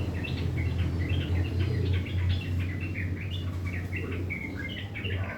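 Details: Sooty-headed bulbul in the morning giving its coarse chattering song, dense runs of brief jerky notes, some rising, with a loud low droning hum underneath.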